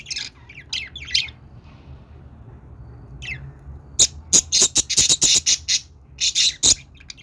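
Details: Budgerigar chatter: a few scratchy high warbles, a short pause, then a fast rattling series of sharp clicking squawks, roughly a dozen in quick succession.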